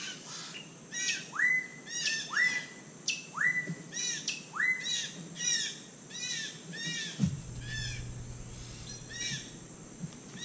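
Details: White-throated magpie-jay feeding on palm fruit in Costa Rica: a series of upslurred whistled notes about every second, mixed with arched ringing call notes, then a steady low hum in the background.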